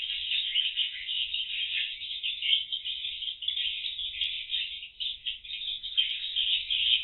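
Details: Swiftlets active in the void, or circulation room, of a cardboard swiftlet house before entering the roost rooms, seen via CCTV; constant dense chatter of high, dry clicks and twitters, swelling and dipping slightly.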